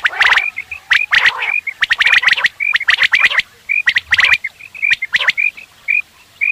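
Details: Quail calls for morning hunting: sharp clipped notes in quick pairs and triplets, mixed with short high whistles and broad harsh bursts from several overlapping birds.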